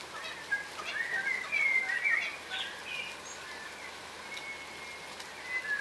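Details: Wild yellow rosellas, a subspecies of crimson rosella, feeding on the ground in Australia, wary and cautious; faint short whistled notes and bright chirps near the middle, over steady hiss like light rain.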